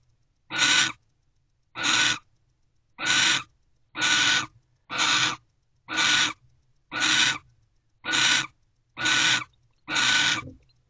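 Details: Mating owl pair at their nest box at 5:19 am, 28 December: ten evenly spaced rasping, breathy screeches, about one per second, loud and harsh with nothing else audible.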